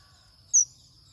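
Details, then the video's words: Male manh manh bird, roused and singing fiercely, gives a single sharp, high chirp, brief and downslurred, against a quiet background with low rumble. "Chim Manh Manh | Manh Manh Trống Kích Bổi Cực Xung"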